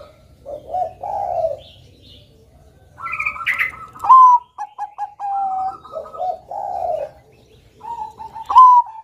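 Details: Zebra dove of the Bangkok perkutut type in a cage, mixing low rolling coos with whistled phrases of quick clipped notes and sustained tones.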